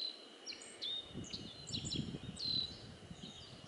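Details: Black-faced bunting singing contentedly: short high whistled notes and brief slurred phrases, some falling, scattered through the clip, with a low rumbling noise underneath.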